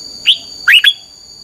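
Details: Decoy training song of a red-whiskered bulbul in 'căng lửa' style: one clear rising whistle, a pause, then two quick slurred notes, against a steady electronic whine.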